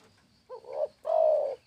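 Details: Low, mellow spotted dove coos. A quick looping introductory note and a building coo are followed by a longer, even, strong hoot lasting about half a second.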